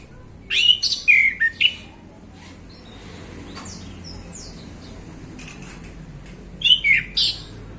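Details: Male orange-headed thrush, singing openly in the afternoon: two loud bursts of harsh, rich warbling notes separated by several seconds of soft high chirps and quiet.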